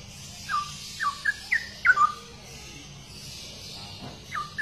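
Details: Straw-headed bulbul, known locally as cucak rowo, a rare bird: a quiet run of short, liquid whistled notes sliding downward, given in loose bursts with gaps between them.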